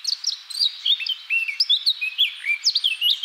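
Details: A Eurasian blackcap (Sylvia atricapilla), a European bird, sings a rich, fast warble of clear whistled notes that slide up and down, delivered in quick bursts without pause.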